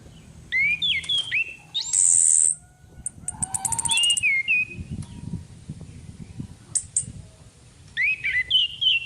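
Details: Orange-headed thrush female lure recording: warbled whistled phrases, a loud harsh high hiss, a quick burst of ticking notes, soft scratchy sounds in between, and more twisting whistles at the end.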